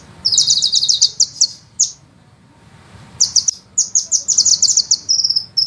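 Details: ['A sunbird sings a master song for training songbirds: a rapid rattle of high, sharp notes, a few spaced chirps, a long silent gap, then renewed fast rolling trills ending in a buzzy held trill.']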